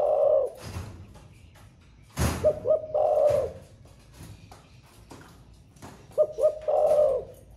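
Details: Caged spotted dove with the thổ pha song style, said to sing throughout the day: three low coo phrases, two clipped notes leading into a long throaty coo, punctuated by one loud knock.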